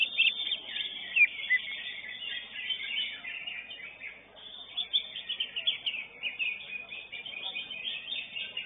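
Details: Greater green leafbird (cucak ijo) singing at a bird-singing contest, the bird placing third; dense, continuous chattering and warbling with bright twittering notes running without pause, no other clear sounds.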